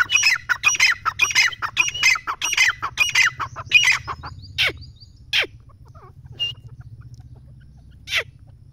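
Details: An excited partridge rattles off a long series of hoarse, squawky notes for about four seconds, followed by a few isolated descending calls.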